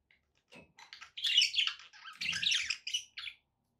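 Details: Singing pet budgies, used to prompt a parrot to eat and sing, build from a few soft clicks into a dense run of scratchy, buzzy chatter that swells in the middle and fades out.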